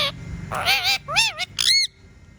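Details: Pet parrot giving a raspy, warbling squawk followed by two looping whistled notes, all within two seconds.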